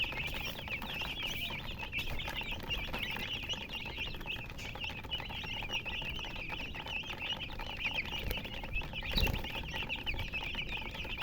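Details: Baby chicks of domestic chickens peeping together: a dense, continuous chorus of short high chirps overlapping throughout, with soft thumps and background hiss.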